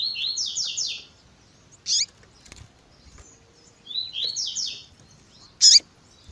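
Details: Double-collared seedeater, 'tui tui zel zel' song with female piping calls used to stimulate males: two phrases of three quick rising slurred whistles about four seconds apart, each followed by a sharp high chip.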